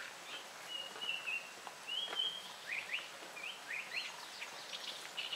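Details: Unseen Japanese paradise flycatcher singing at 6:16 PM on 18 June 2018, its "tsuki-hi-hoshi hoi hoi hoi" song: two drawn-out level whistles, then short rising whistled notes at a steady pace, amid other birds.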